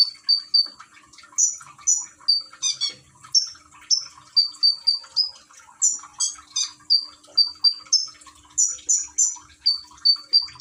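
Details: Caged common iora (konin) in Gresik, East Java, phone-recorded beside trickling water meant to prompt singing; a long, lively series of high whistled notes in small groups of two or three, with one brief harsh burst.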